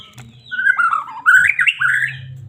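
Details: Medan-type white-rumped shama song, used to stir caged birds into singing: rich fluting whistles that wander downward, then climb in quick rising slurs, over a low constant background hum.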